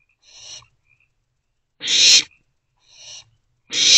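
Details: Owlets, a trio staying inside their nest box on 13 April 2024, overnight into morning, hiss in alternating bursts, soft then loud, four rasping screeches within a few seconds with silence between.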